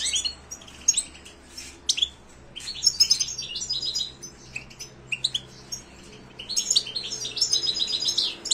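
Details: Song of a European goldfinch, a bird kept for song contests: long, rapid, jumbled twittering with tinkling high notes, buzzy trills and sharp clicks, broken by short gaps.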